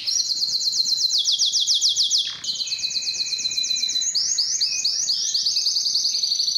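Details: Belgian or Spanish timbrado canary singing for song training: fast high trill of repeated sweeping notes, a brief dip, then new rolling phrases stepping up and down in pitch.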